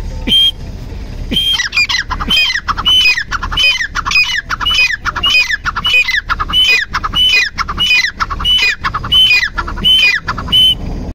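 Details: Dakhane titar, a grey francolin, in a long loud series of ringing, grating notes, each a quick rising-falling phrase, repeated more than once a second with hardly a pause.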